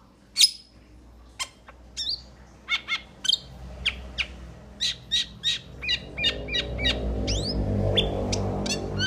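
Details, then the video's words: Metallic starling uttering a rapid series of short sharp chirps and thin whistles, about three per second, some upward-sweeping, over rising background rumble. "Metallic Starling Aplonis Sounds ! Metallic Starling Aplonis Song Metallic Starling Aplonis Call !"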